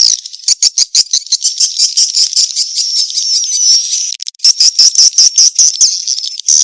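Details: Swiftlet calls played as a mating-call lure: a dense, buzzy, high-pitched twittering that runs almost without pause, broken by quick clicking pulses and one short gap near the end.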